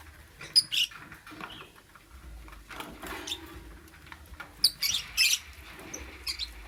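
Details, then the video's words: Lovebird in the morning giving a few short, high squeaky chirps, a pair near the start and a brighter cluster later, over a quiet low hum. "Amazing Lovebird - Beautiful Colors - Chirping Sounds"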